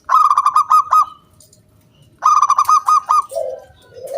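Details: Loud crystal-toned zebra dove song used as a lure: two quick runs of clipped, ringing, evenly repeated notes a second apart, followed by a short low coo.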